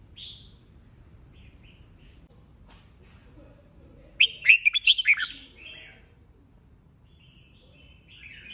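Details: Red-whiskered bulbul singing in competition, a seasoned forest-type bird; after quiet scattered whistles, a loud burst of about seven sharp chirped notes over one second, then soft slurred phrases.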